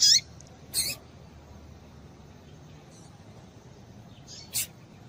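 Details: Female double-collared seedeater (papa-capim) calling, a call used to excite males into singing. It gives three short, sharp, high chips, spaced irregularly over five seconds, with a few faint ticks in between over a low steady hum.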